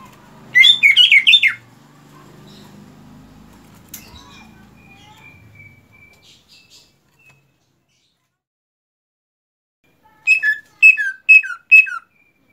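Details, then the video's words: Greater green leafbird singing after its moult: a quick burst of sharp slurred notes, then low murmuring and a faint thin whistle, then after silence five well-spaced downslurred whistles. "cucak ijo rajin berkicau setelah beres mabung"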